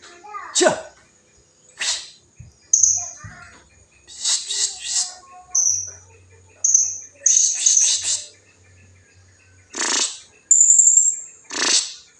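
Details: Lure recording of blue-crowned hanging parrot meant to call rivals: shrill high chirps and short thin whistles in scattered bursts, some rapid buzzy clusters, with quiet gaps between and a faint low hum.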